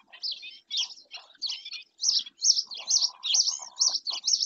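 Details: Sharp, nasal yapping from a black-winged stilt in Spain's Doñana National Park, starting uneven and settling into a fairly regular series of about two notes per second, each a rising-falling harsh bark.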